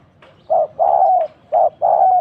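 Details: Decoy spotted dove calling during trapping, in which a pair of doves was caught: two soft, low coo phrases, each a brief note followed by a longer, slightly falling one.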